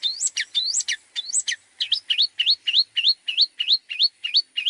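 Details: Long-tailed shrike tutor song for training other birds. A few sharp rising-and-falling whistled notes, then a fast, even series of about a dozen upslurred whistles repeated several times per second.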